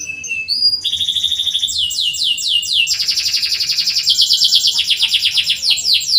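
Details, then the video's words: Canary singing, used to prompt canaries that rarely sing into song: a run of rapid high trills and rolling phrases, shifting from steady whistled notes into fast repeated downward sweeps and dense trilled bursts, with a faint low hum beneath. "PANCINGAN BURUNG KENARI SUARA CUIT CUIT COCOK UNTUK MASTERAN BUAT YANG SUSAH BUNYI"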